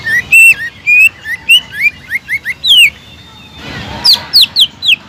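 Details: Greater green leafbird singing energetically as a lure for a silent caged bird: lower whistled slurs rising and falling, then a pause and a set of higher, sharply descending whistles.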